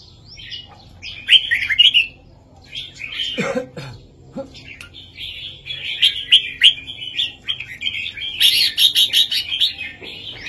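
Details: Red-whiskered bulbul southern master song meant for tutoring young birds: rolling warbled phrases interrupted by a cough-like burst, then a long stretch of rapid bright notes ending in a fast, high trill.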